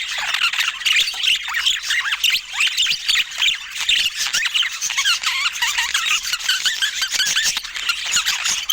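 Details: Busy budgerigar chatter: many rapid, scratchy warbled notes and squeaks layered over one another, keeping a steady, lively level for the whole stretch.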